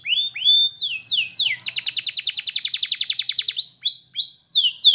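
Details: Song of a Belgian canary: rising slurred whistles lead into a long, loud rapid trill lasting about two seconds, followed by more rising whistled notes.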